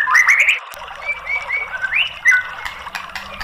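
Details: A White-rumped shama delivers a quick burst of bright chattery notes, then several smooth level whistles and an upward-swept phrase. It is played as a lure to get a silent bird singing.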